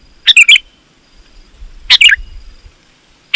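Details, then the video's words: Sooty-headed bulbul singing lively, for drawing wild bulbuls in to answer; two rich chirped phrases over a second apart, each a rapid run of slurred notes, with a soft low rumble between them. "Suara Burung KUTILANG GACOR, Ampuh Untuk Suara Panggilan Burung Kutilang"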